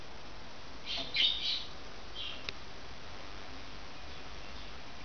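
A budgerigar gives a brief burst of high, scratchy chirps, then a fainter chirp and a click.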